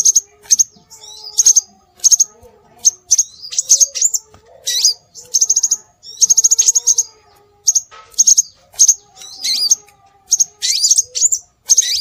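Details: Scarlet minivet calls used as a lure to attract birds: bursts of thin, very high chirps and short upslurred whistles, given in quick clusters with brief pauses. A faint low hum runs underneath.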